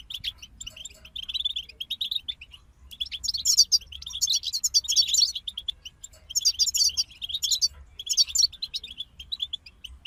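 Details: European goldfinch group in full song, long runs of rapid silvery twittering and buzzy trills with a short pause, then renewed dense jingling phrases.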